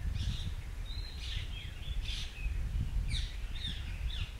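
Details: In Shakambhari Conservation Reserve, Rajasthan, India, a white-browed fantail sings bright whistled phrases, each note dropping in pitch, with short pauses between groups, against low rumbling ambient noise.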